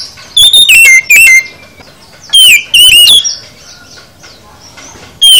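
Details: Full song of an oriental magpie-robin: clipped downward-sliding whistles in a quick group, a quiet gap, then a second pair of buzzy whistled phrases and a final note, with faint thin calls between.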